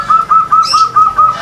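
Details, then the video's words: Zebra dove (perkutut) at a Mataram-style song contest in Yogyakarta: a quick run of short, clear, soft cooing notes, about five per second, all at one even pitch, with a faint higher chirp partway through. "PERKUTUT LOKAL NGLAGU PAKEM MATARAM"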